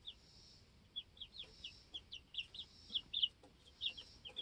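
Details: Chorus of two-week-old baby chickens peeping in their coop: thin, high descending cheeps repeated rapidly, roughly four or five per second, over a soft background hiss.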